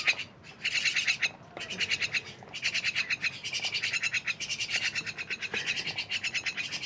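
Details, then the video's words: Rasping, scratchy myna chatter, a near-continuous string of quick rattled notes, loud and harsh throughout. "rame bersama burung jalak"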